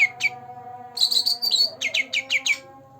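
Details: Green leafbird, a two-month-old bird already singing, used to prompt birds that rarely sing: two sharp notes, then a run of whistles, then rapid down-slurred chirps repeated about every quarter second, over a steady low hum.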